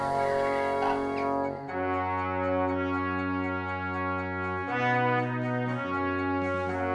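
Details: Sustained brass chords like trombones and horns play throughout, with no animal calls.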